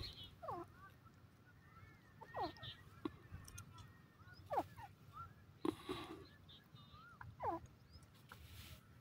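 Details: Grey francolin calling: a series of sharp, sliding call notes, one roughly every two seconds, over steady low background noise with a few faint higher notes between.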